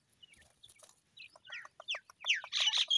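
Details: Grey francolin chicks calling: a run of short rising and falling chirps that begin soft and sparse, then grow louder and quicker toward the end, ending in loud harsh notes.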